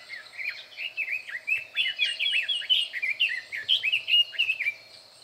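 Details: In dense bushes a red-billed leiothrix sings loudly, 21 May 2024: lively, continuous warble of short whistled slurs, rising and dipping, delivered in quick succession for about five seconds.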